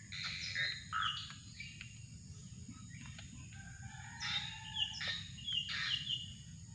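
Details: Drongo heard while being trapped with a lure: high raspy calls with short whistled inflections, given in irregular bursts. One level tone sounds midway, over a low droning hum.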